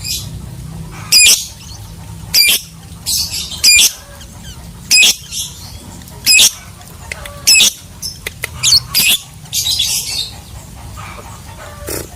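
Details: Lovebird calling with loud harsh squawks, single or paired, coming roughly every second or two, with faint chirps in between.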